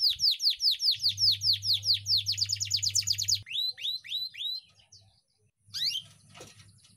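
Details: Canary in long 'ngeroll' style song used as training and therapy audio for young canaries that are stuck or reluctant to sing: rapid downward-swooping whistled notes repeated about five per second, a faster buzzy trill, then slower swooping notes, with a low hum beneath.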